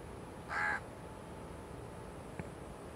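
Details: A single loud, harsh caw from a large-billed crow in Malaysia, July 2020, with a faint tap afterward against a steady low background hum.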